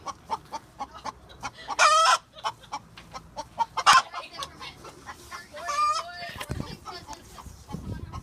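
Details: Several backyard chickens, one calling loudly: soft clucks ticking steadily throughout, cut by two loud harsh squawks early on, then drawn-out wavering tonal cries around the middle, with faint rustling at the end.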